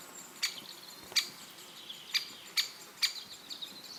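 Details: Great spotted woodpecker in Elatia Forest, Greece, giving five sharp, high, staccato 'kik' calls within a few seconds, spaced about half a second apart, against quiet forest ambience.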